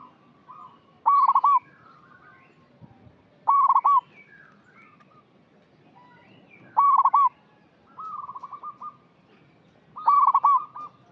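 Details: Lure call of a vocal local zebra dove, aimed at birds still in training: a short, loud, trilled coo phrase about every three seconds, with softer rippling coos in between in a quiet setting.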